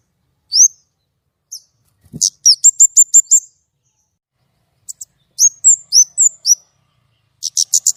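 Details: White-rumped shama in lively, shooting, clear-voiced song: rising whistles, a quick burst of repeated crisp notes, a pause, then varied slurred phrases and another rapid series. One sharp click is heard.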